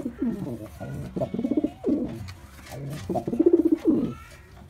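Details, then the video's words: Male white pigeon in full performance, cooing almost continuously in warbling, pulsing phrases that swell and fall, with barely any pause across the recording. "Pigeon Sound Effect || Male Pigeon Super Performance || White Pigeon"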